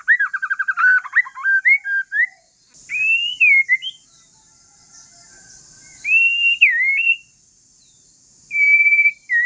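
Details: A white-rumped shama of the Aceh forest strain from Indonesia sings calmly to draw replies from other shamas. It opens with a rapid stuttering whistled trill, then gives separate loud rising and falling whistles with pauses between phrases, over a steady high hiss.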